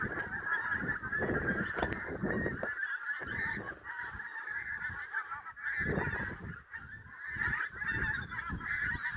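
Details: Geese flocking at sunrise near Prestatyn keep up a chorus of nasal honks, rising and fading in waves, with intermittent low bursts like wind.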